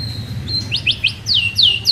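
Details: White-rumped shama song used as a lure to make a shama start singing: a sustained high whistle, then quick rising slurred notes and descending whistled sweeps repeated about every quarter second, over a low hum.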